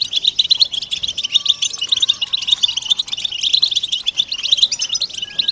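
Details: Busy chorus of European goldfinch chatter, mating and readiness calls meant to coax silent males to sing; a nonstop stream of quick, high, jangling twitters, with a faint thin steady tone briefly beneath.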